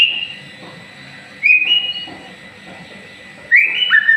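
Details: White-rumped shama moulting into new feathers, a promising future champion: two short bright whistled phrases, each a rising note sliding into a level tone, separated by about two seconds of quiet.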